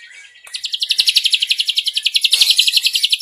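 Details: Ashy drongo, a prized master bird, delivering its long cililin trill: after a faint start, a loud, even, high rattling trill of rapid repeated notes runs steadily to the end.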